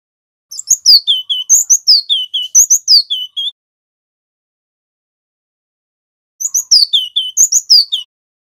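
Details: Loud, clear ngerol song of a local Javanese male cinereous tit: high chirps drop into slurred whistles and paired lower notes, repeated for about three seconds, then silence before a second shorter burst.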